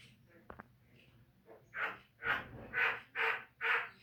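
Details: Javan myna in a recording played to make caged birds sing: five evenly spaced, harsh, croaking notes repeated about twice a second after a couple of faint clicks.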